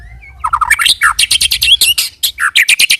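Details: White-rumped shama rolling lure song; dense, fast, harsh chattering notes repeated roughly eight per second, with a few lower slurred notes mixed in.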